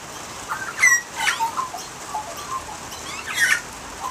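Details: Australian magpie singing in rain: scattered mellow warbled notes near mid pitch with sharp upward-sweeping high chips, loud bursts around one and three and a half seconds, steady rain hiss throughout.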